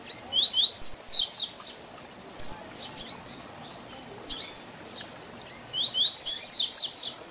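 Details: Double-collared seedeater, tui tui zel zel song style used to teach young birds. Loud trilled bursts of high, steeply falling whistles open and close the phrase, with sparser notes between and light background noise.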